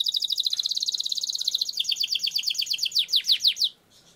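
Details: Canary performing a long roll for use as a training lure; a fast, even trill gradually slowing into separate loud descending notes, ending abruptly in near silence.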